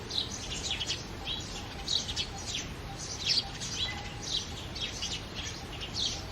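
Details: Several house sparrows chirp together in the early morning, short bright notes tumbling over one another every half second or so, over a soft steady background hum.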